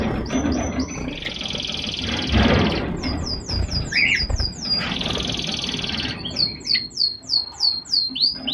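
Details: Zebra finches, several birds, giving rapid, high, downward-sweeping chirps in quick runs, interrupted by bursts of broadband rustling noise and a short lower squawk.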